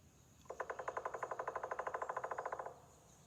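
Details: Pileated woodpecker drumming, recorded in the woods of Northern Virginia, mid-Atlantic US: a loud, steady roll of about two dozen hollow knocks over two seconds, slowing slightly and fading at the end; the bird's large size makes its drumming loud.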